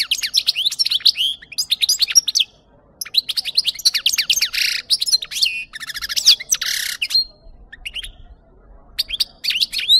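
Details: European goldfinch song from a recording played to lure birds for capture: a long, fast twittering run of bright, buzzy and tinkling notes with rapid slurred whistles, broken by short pauses.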